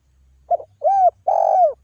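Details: Spotted dove's calling coo, made to draw answers from other doves: a brief soft note, then two long smooth coos that rise slightly and fall away, over a faint low hum.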